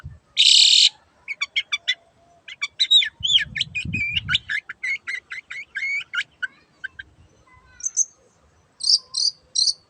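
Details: Energetic long-tailed shrike singing: a loud harsh rasp, then a fast run of varied chirps, trills and twittering notes, closing with a few short buzzy high calls; soft low thumps in the background.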